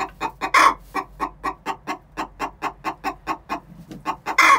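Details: Six-month-old chickens calling the egg song ahead of laying: one long, rasping squawk, then a long, regular series of clucks, ending on another loud drawn-out note.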